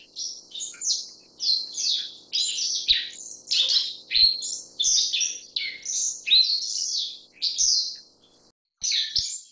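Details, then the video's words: A Black-faced Bunting (Emberiza spodocephala) gives a rapid, almost unbroken run of high, sharp chirps and buzzy twitters, with a faint low hum and a few soft clicks behind. "黑臉鵐(灰頭黑臉鵐)/Black-faced Bunting"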